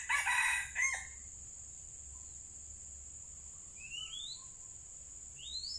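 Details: Red junglefowl lured with a decoy bird, two caught after fierce fighting; a harsh, harmonic crow lasting about a second, abruptly cut off, then faint rising whistles of other birds over a steady high insect drone.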